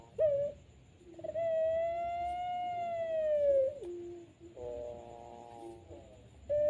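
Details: At night, a dove (puter pelung) gives a long, drawn-out mellow coo, held steady for nearly three seconds and sliding down at the end, followed by shorter hollow notes.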